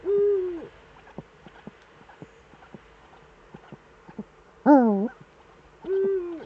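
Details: Eurasian eagle-owl pair, both back in the Eifel, Germany, evening of 11 March 2013 at 18:47. An arched level note, then a stretch of regular soft ticks, a loud wavering call and another arched note.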